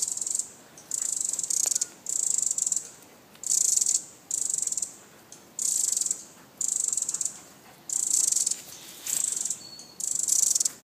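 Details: Pacific wren giving alarm calls: a steady run of about ten high, grating, rapidly pulsed bursts, each roughly half a second, separated by short irregular pauses.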